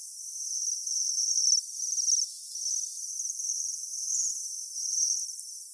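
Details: Wintering Japanese waxwings at Saiko lake in Saitama, Japan, giving high-pitched, buzzy, quavering trills that come in repeated runs of one to two seconds, separated by brief pauses, over an otherwise quiet background.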